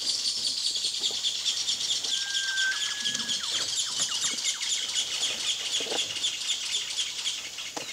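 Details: A Sunbittern gives a single drawn-out, even-pitched whistle lasting over a second, heard against a dense, steady chorus of insects with scattered faint chirps.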